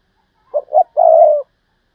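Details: Spotted dove used as a decoy, 'thúc bổi' calling: two brief low notes leading into one long, slightly rough coo that falls a little at the end; otherwise silent.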